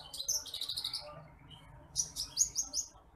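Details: Bush lark (branjangan apung, titimplik) in a masteran training recording: rapid run of high chirped notes, then a brief gap and a second quick series of bright, buzzy high syllables.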